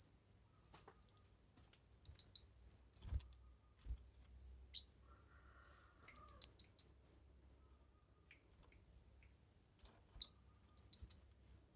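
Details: Lively kemade song for masteran, luring and pancingan: three bursts of rapid, high, thin chirps ending in a brief rising whistle, each burst separated by about four seconds of silence.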